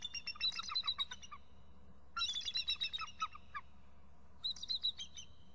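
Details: Two adult eagles calling excitedly at their nest before flying off together to a nearby tree, with a young eagle perched on a fir close by. Three bursts of rapid, high, thin chittering notes, each series tumbling downward, over a low steady rumble.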